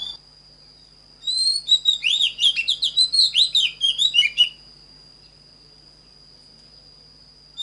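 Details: Oriental magpie-robin, a recording for training birds to sing in the standard voice: one burst of about three seconds of quick, varied whistled notes, sliding up and down. A steady high tone runs throughout.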